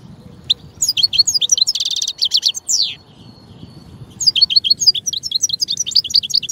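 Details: A European goldfinch pours out a fast, tinkling song of high chirps, a buzzy rattling trill and sliding notes, pauses briefly, then resumes with quick twittering.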